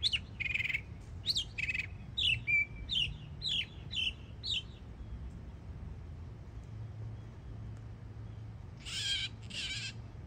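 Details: Yearling Northern mockingbird singing in Florida: series of short whistled and buzzy notes repeated in a row for about five seconds, then a pause and a final harsh double burst; faint low rumble behind.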